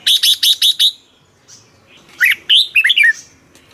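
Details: Red-whiskered bulbul kept caged in Thailand, played to excite other birds: five rapid harsh, buzzy chips open, then after a short pause a fluty warbled phrase of descending slurred notes.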